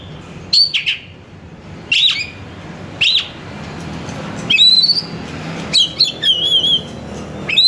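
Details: Oriental magpie-robin (kacer) singing to lure another kacer: short harsh notes spaced about a second apart, then rising whistles and a wavering trilled phrase.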